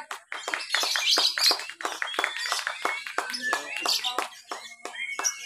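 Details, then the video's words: Caged lovebirds competing in a Lovebird B mixed class, Papua, Indonesia, 31 October 2021, at an irrigation-side venue. Rapid, continuous stream of shrill chirps and short whistles, roughly three notes a second, crowded and overlapping. "LOVEBIRD THE BEST, NGEKEK SAMBIL NGERUJI/MERAYAP AUTO JUARA"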